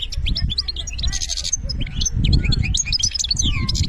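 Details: Algerian European goldfinch delivering its benna song: continuous lively twittering with buzzy, rasping bursts and sliding whistles, all over a rumbling low-frequency background.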